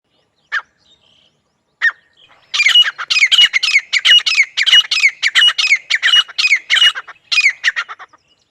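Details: Grey francolin, female and male, calling: two isolated sharp notes, then a fast run of high, ringing, repeated notes, each bending downward, about one and a half per second, in a quiet rural setting.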